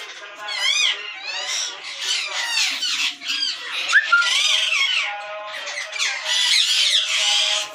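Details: Rose-ringed parakeets in a captive breeding colony in Pakistan, 2022, giving loud overlapping screeches and harsh squawks with rising and falling hooked notes, several birds calling at once.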